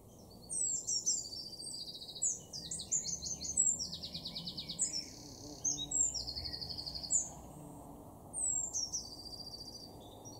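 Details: Eurasian blue tit, a garden bird in Weener, East Frisia, far northwest Germany, March 2024: thin high notes lead into fast, buzzy trills in repeated bursts, several phrases over ten seconds, against a steady low outdoor rumble.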